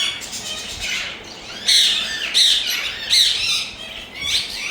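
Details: Loud, rasping screeches from a pet green ringneck parrot of India, in broad harsh bursts a little over a second apart, with softer scratchy chatter between them.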